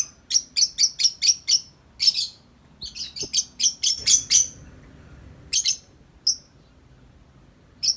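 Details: Tame lovebird outside its cage giving long nonstop 'ngetik' chattering: rapid bursts of sharp, high chirps in quick runs of five or six, pausing briefly, then resuming in a denser flurry.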